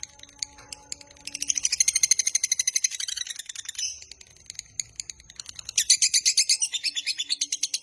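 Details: Lovebird long trill for luring and training lovebirds: scattered chirps, then a rapid shrill pulsing run, a brief pause with soft notes, and a second loud burst of fast, buzzy pulses.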